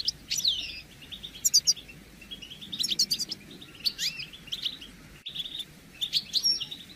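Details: European goldfinch calls meant to get a silent moulting male singing; rising, tinkling upslurred notes and sharp high trills, separated by softer twittering, in irregular bursts.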